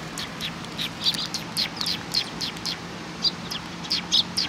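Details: Eurasian tree sparrows at a shrine, coming to be fed, recorded 24 April 2019: a rapid series of short sharp chirps, several per second and loosely spaced, over a steady hum and background noise.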